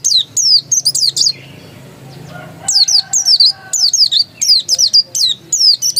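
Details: Insistent ngotot song of a dakun oriental white-eye: fast runs of piercing, downward-sweeping whistles in tight clusters, a short quiet break in the middle, then steady repeated bursts.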